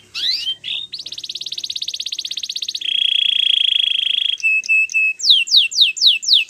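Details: Domestic canary training song: a falling whistled sweep, a long fast buzzy trill, a low steady rolling tour, then short repeated notes and a series of rapid descending slurred whistles, about four per second.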